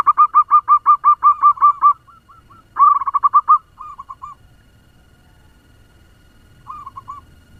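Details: Fast-singing local zebra dove decoy, used to get other doves calling: a long rapid series of punchy coos, a pause, a second quick burst, then short paired phrases trailing off into near silence.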